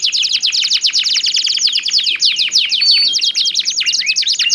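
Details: Lively canaries singing back and forth with contrasting voices, for stimulating other canaries: an unbroken stream of rapid, sharply descending chirps forming a rolling trill, with short whistled slurs toward the end.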